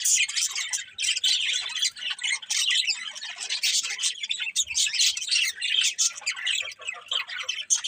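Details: Many birds chirp together in the morning, high squeaky tweets and harsher squawks tumbling over one another in constant, restless chatter.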